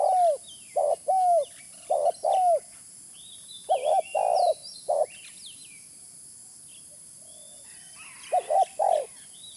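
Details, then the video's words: Spotted dove lure sound. Bursts of low mellow coos with down-curving endings, then a long quiet gap before a final short cluster. Faint high bird chirps and a steady hiss fill the pauses. "Suara pikat terkukur original"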